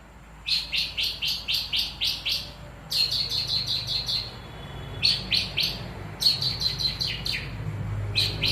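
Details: Long-tailed shrike in contest-style song: rapid runs of sharp, high chattering notes, about four per second, delivered in bursts of several seconds separated by brief pauses, over a steady low hum.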